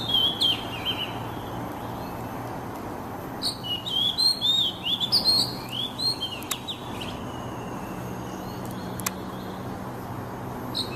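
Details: Kacer, or oriental magpie-robin, singing as sound therapy for stressed birds: a whistled phrase opens, then a lively run of sliding, chattering whistles mid-way, followed by faint background hiss and a few clicks.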